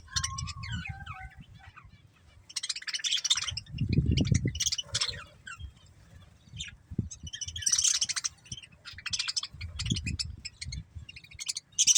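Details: Breeding pair of budgerigars chattering with scattered scratchy high chirps and short whistles, mixed with low thumping and rustling noises in the background.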